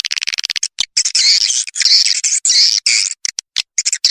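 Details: Lure recording for swiftlets, made to attract them into a house to nest and tested in the open: quick high chirps, then long, loud, harsh squawking buzzes, then short chirps again.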